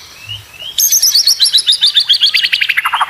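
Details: Training material for competition white-rumped shamas: a faint rising whistle, then a rapid, high, buzzy trill of about four notes a second that drops in pitch at the end.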